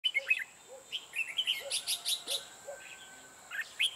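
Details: Red-whiskered bulbul used as a decoy to trap wild birds, giving short bright whistled and chirping phrases between pauses, with a steady high electronic whine and a soft low repeated note in the background.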